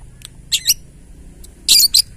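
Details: Lovebird in ngetik song style, said to trigger other lovebirds to sing: short high twittering notes, then a louder harsh chattering burst near the end, with a faint steady tone behind.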